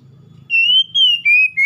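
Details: Oriental magpie-robin song, played to stimulate a stressed bird that has stopped singing: four clear, high whistled notes, each held steady and sliding slightly lower, separated by short gaps, over faint low hum.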